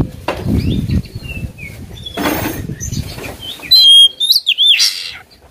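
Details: Oriental magpie-robin provoked to sing at a rival: faint scattered notes and rustling noise at first, then a loud clear whistle and sharp slurred notes near the end.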